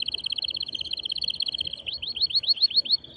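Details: Male canary, excited, singing to stimulate a female to mate; a fast rolling trill of evenly spaced beads shifts into a series of quick upslurred notes repeated about seven times.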